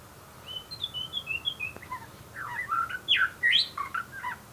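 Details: White-rumped shama singing: a string of short high whistled notes, then louder, more complex phrases mixing rising whistles and quick slurred notes, delivered at a brisk pace.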